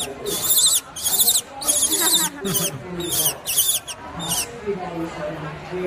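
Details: At a koala park in Perth, Australia, a female owl being scratched on the head gives six harsh, hissing screeches of about half a second each, roughly every second, while a person talks quietly underneath.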